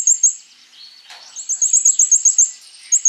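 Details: Konin, a sunbird, in full song used as a lure to prompt other birds to sing: very high thin twittering notes, a brief sliding whistle, then a fast run of sharp repeated chirps.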